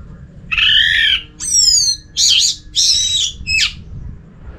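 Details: Orange-headed thrush singing as a lure for other thrushes: five loud, separate whistled phrases, some long and downslurred, others wavering and trilled, each about half a second, with quiet gaps between.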